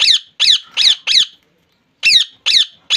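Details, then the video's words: Rose-ringed parakeet kept as a pet in Bangladesh: four loud rasping screeches in quick succession, a second of silence, then three more harsh calls. "Parrot sound"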